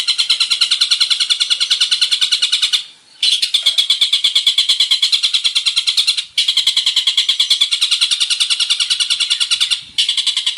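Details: Male long-tailed shrike in full, varied song, used as a lure to get other shrikes singing: dense, harsh, buzzy notes rattled off several times a second in long runs, broken by three short pauses.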